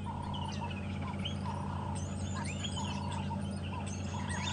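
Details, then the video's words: Morning sunrise safari drive, 7 January 2015: starlings chatter noisily around the vehicle in a busy, overlapping mix of whistles, slurred notes and harsh chirps, with a wildebeest bull and herd nearby, over a steady low engine rumble. "Oh, you can hear some starlings really making a racket about us here."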